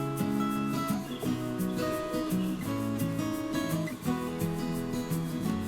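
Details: Strummed acoustic guitar music fills the recording, with no animal voices audible.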